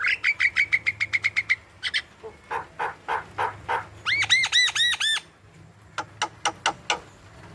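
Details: Javan myna, a vocal bird used as a lure to get young, lazy or silent mynas to call: a fast run of short sharp notes, then harsh bursts, a string of arched whistled notes with rich overtones, and a few crisp clicks.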